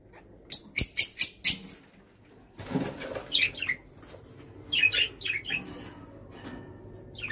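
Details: Kakariki giving five loud, evenly spaced, piercing notes, then a burst of rustling or wing noise, followed by a scatter of shorter, downslurred squeaky calls.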